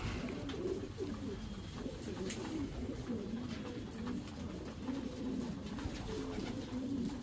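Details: Low, rolling coos from Racing Homer domestic pigeons in their breeding section, a series of throaty wavering phrases repeated through the recording over a constant background hum.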